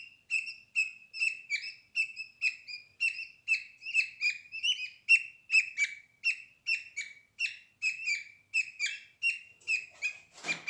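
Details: Budgerigar chicks, eyes newly opened and feathers growing, on day 11 in a nest box cuddling with siblings and their mother: rapid series of high, harsh chirps repeated about twice a second, steady throughout, ending in a brief noisy rustle.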